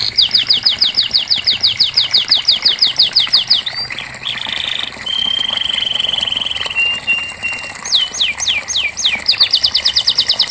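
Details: Canary song played as therapy for a canary that has stopped singing: a fast series of sharp, high downslurred notes, then buzzy and smooth sustained trills, a few looping notes, and a closing rapid rolling trill, with a faint background hum.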